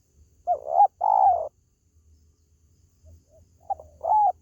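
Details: Call of a spotted dove, meant for luring pet birds: a husky two-part coo phrase at the start, a quiet pause, then another hoarse double coo near the end.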